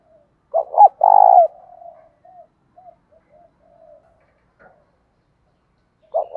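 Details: Cooing of a spotted dove with an earthy, bronze-toned voice, singing to goad rivals into fighting and used for decoy training. Two quick stuttering notes lead into a loud, burred coo, then soft trailing murmurs, and a new phrase begins at the end.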